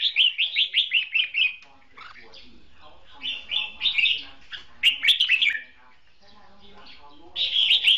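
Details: Red-whiskered bulbul performing a duel song as a trap decoy: a fast run of about eight loud, bubbly whistled notes, then jumbled warbling phrases with short pauses, close and clear.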